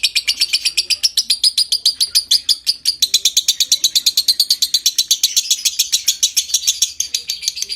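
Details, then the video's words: Lovebird singing a long ngekek trill intended to stimulate breeding condition; rapid, evenly pulsed, raspy high chatter continuing without pause for nearly eight seconds. "Suara Masteran Burung LOVEBIRD Konslet Ngekek PANJANG Merangsang Birahi"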